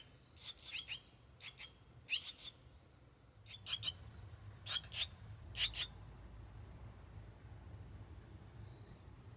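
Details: Six swallow chicks in a nest at a house entrance in the countryside, 18 days after hatching. Short, sharp chirps come in little clusters every second or two, with a steady faint high hiss behind them.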